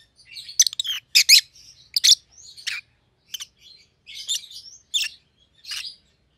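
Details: Pet Rosy-faced Lovebirds, white-headed pallid ino opaline and green opaline siblings, give sharp squeaky chirps, about one or two per second, louder at first then sparser.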